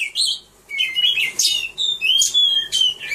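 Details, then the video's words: Caged Oriental magpie-robin performing at a bird singing contest: clear whistled phrases around mid-high pitch, sliding notes broken by sharp harsh bursts, in a quiet indoor setting. "Birds Oriental Magpie-Robin singing - Singers perform in cage bird beautiful"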